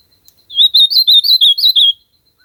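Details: Ultramarine grosbeak singing in a natural setting, one bright warbled phrase of about seven connected whistled notes that dip and climb over about one and a half seconds, nothing else audible.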